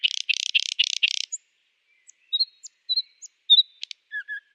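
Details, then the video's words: Singing nightingale: five quick rasping bursts in a row, then spaced high sharp notes, short whistled slurs, and two low whistles at the end. "beautiful #nightingale singing"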